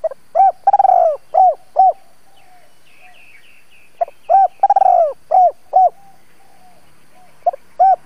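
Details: Decoy spotted dove for trapping repeating its double-voice phrase of stuttered and rounded coos roughly every four seconds, with brief high chirps from another bird between phrases.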